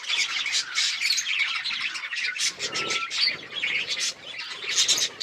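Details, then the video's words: Several budgies chatter as they eat, October 29, 2023. Busy high-pitched twittering, squeaks and buzzy warbles overlap without pause, with one clear short whistle partway through. "Budgies eating food | Budgies chirping sounds"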